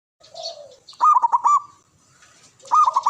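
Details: Male zebra dove, a local Javan bird, giving its call: a soft note, then a loud, rapidly trilled cooing phrase, repeated at the end, with high chirps of other birds behind.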